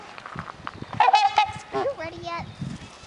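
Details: Two trumpeter swans at a bird sanctuary give a few nasal, horn-like honks, some bending downward, over low splashing and background murmur.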